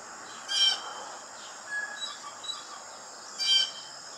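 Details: Blue jay uttering two short, scratchy, harsh calls about three seconds apart, set against a constant high-pitched insect buzz and soft faint whistles.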